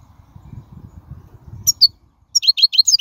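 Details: European goldfinch, wild, song for tutoring young birds: after low background rumble, a few high slurred notes, then a fast series of liquid twittering notes, roughly three per second.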